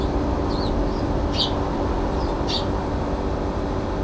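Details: Brown-eared bulbul screaming at a balcony on 9 February 2022 after being kept away from the feeder: three short, harsh, high chirped bursts with steady traffic rumble beneath.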